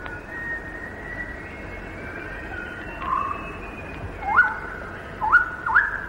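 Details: In a Malayan rainforest, recorded in the late 1950s to early 1960s, a white-rumped shama, presumably the male, sings powerfully from thick undergrowth in short, fluty, sharply rising whistled phrases, about four in six seconds, over faint tones and old-recording hiss.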